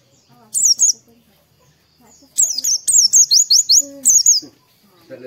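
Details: High, sweet chirping of Oriental white-eye, used as a morning stimulus to make birds start singing; a short phrase, then a longer run of rapid repeated downslurred notes, with faint lower bird calls in the background.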